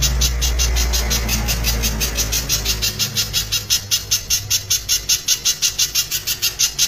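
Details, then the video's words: Loud spiderhunter song in a dense, rapid-fire style: sharp high pulses repeated about three times a second, growing steadier and louder after three seconds, over a low steady hum. "masteran pijantung suara keras tembakan rapat"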